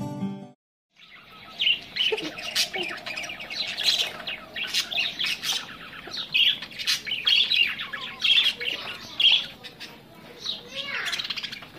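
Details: Australian budgerigars meeting aggressively: dense, harsh chattering squawks and chirps, fast and irregular, many short bursts overlapping, with a brief low sound at the start.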